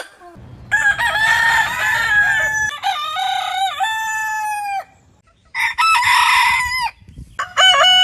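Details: Compilation of crowing roosters from varied heritage breeds. Bright, raspy crows with rich overtones, some wavering mid-call. There is steady low rumbling under the first crow and a quieter pause before two more crows.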